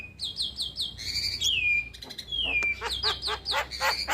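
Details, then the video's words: Starling song used as a routine tutor recording for young birds: repeated buzzy chirps, two long whistles falling smoothly, then quick rattling notes in a steady series. "Masteran Burung Jalak Muda / Jalak Malas Bunyi Rutin Putarkan Agar Jalak Jadi Gacor"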